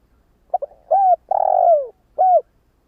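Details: Decoy spotted dove coos once: a quick two-part stutter, a clean coo, a long rolling coo that falls away, and a short final hoot-like coo; no other sounds.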